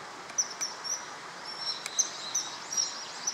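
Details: Male common kingfisher at the Tama River, Japan, recorded 21 March 2013. It gives faint, piercing high whistles, single and paired at irregular intervals, partly masked by a loud rushing-water hiss.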